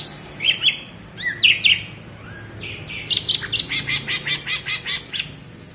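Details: Greater green leafbird (cucak ijo) from Alas Purwo, Banyuwangi, singing the prized bebeci song type: two sharp chirp pairs, then a fast series of about ten evenly spaced high clipped notes.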